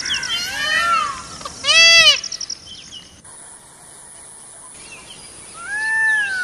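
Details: Peacock roaming in forest: a few strained, arching wails with strong harmonics, one loud pair near the start and a softer drawn-out one at the end, separated by a quieter stretch with faint high-pitched background sounds.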